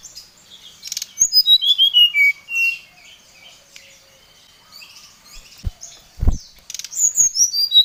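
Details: Emotional, fired-up Oriental magpie-robin calling out a rival. Rapid high twittering runs into descending whistled notes, then a lull with scattered soft chirps and a couple of low thumps, before another burst of quick, loud repeated notes.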